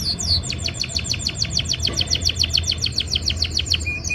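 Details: Canary singing in breeding season while trying to impress a female: a loud, even series of about twenty quick, sharply repeated notes, roughly four per second, above a low background rumble.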